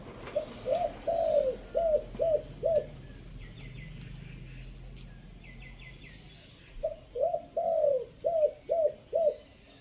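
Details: Chiang Mai spotted dove used as a decoy, singing the three-note 'kuk' pattern, fifth phrase. Two runs of six hollow coos come with a long gap between them. Faint high chirps from other birds fall in the pause.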